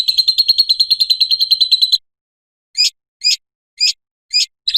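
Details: High, rapid lovebird ngekek trill lasting about two seconds, used as a lure and tutor sound for other lovebirds, then five separate sharp squeaky chirps spaced roughly half a second apart.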